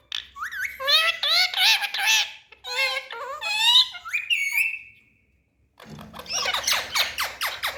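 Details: Pet parrots in India, talking, giving wavering, wailing whistled phrases with strong harmonics and a long rising-falling whistle, then a pause, followed by a burst of rapid repeated chattering notes.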